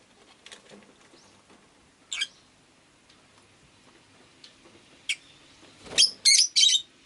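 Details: Japanese household rosy-faced lovebird: scattered faint ticks and clicks, then a single sharp chirp, ending in a burst of three loud, buzzy, rasping calls close together.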